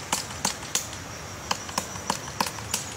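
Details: Woodpecker making a nest, sharp percussive taps on wood at uneven intervals, roughly three per second, over steady background hiss.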